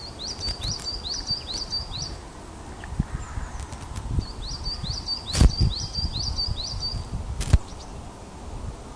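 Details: Osprey, a female responding to a male's skydance, on a Scottish loch-side nest camera at Loch of Lowes. Two bursts of five or six shrill, upward-flicking whistles are separated by a pause, with occasional sharp clicks and a low rumble.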